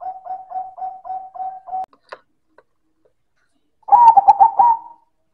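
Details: Silver zebra dove in loud manggung song: a quick series of seven short, level coo notes, a few faint clicks, then a loud stuttering phrase of rapid clipped coos ending on a drawn-out note.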